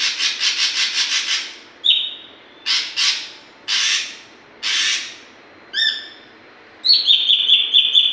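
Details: Learning oriental magpie-robin (saeran), a young bird rehearsing its song: rhythmic rasping, several separate harsh squawky bursts, a short stacked chirp, then a long wavering high whistle to close.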